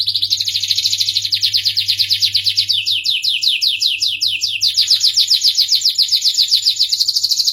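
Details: Starblue canary in full song, a dense high trill that shifts into a run of descending sweeping notes in the middle, then returns to a fast buzzy trill, continuous and loud.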